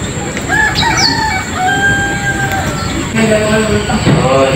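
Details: Rooster crowing in a peaceful village in the countryside, a long drawn-out crow with stepped harmonic bands, followed by another distant crow and steady background hiss.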